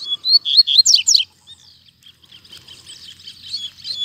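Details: Double-collared seedeater singing strongly in a town square: a fast burst of sharp, high, slurred and down-swept notes for about a second, then a softer, scratchy twittering continuation.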